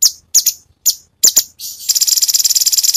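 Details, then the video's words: Cucak cungkok singing 'tembakan' variations for a master recording: sharp high descending notes in quick pairs, then a fast steady buzzy trill rattling to the end. "Cucak Cungkok burung masteran Full variasi Tembakan"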